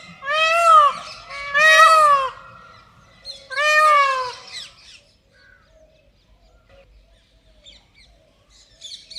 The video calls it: PEACOCK SOUND ll Nature Sound ll Indian Peacock Sound